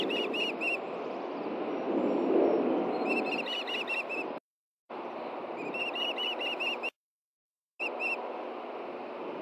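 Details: Ospreys at their Hellgate Canyon nest in Montana, June 2014 morning, during a fish handoff from male to female. Bursts of shrill repeated chirping whistles, about three per second, interrupted by two silent gaps, over loud rushing background.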